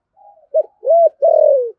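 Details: Spotted dove, 'thổ sấm' voice, rapid cooing and calling: a soft lead-in note, then a short hollow coo, a rounded sustained coo and a long, loud coo that slides downward at the end.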